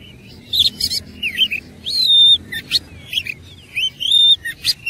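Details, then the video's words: Oriental magpie-robin in fighting mode, singing richly: fast sequences of slurred whistles, a long level whistle and scratchy chirps running almost without pause. "KACER ISIAN MEWAH NGOTOT GACOR TARUNG"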